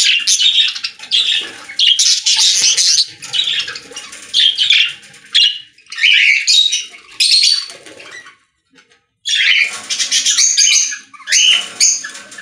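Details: Budgerigars singing in a pet store: loud rolling bursts of buzzy chatter and squawks, each a second or two long, with one clear silent gap before the chattering resumes.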